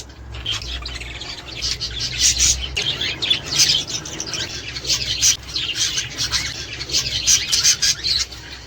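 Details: Budgerigars chattering to stimulate pairing, breeding and laying: busy high warbles, clicks and sharp chirps in overlapping bursts, louder around the middle, with a low background rumble.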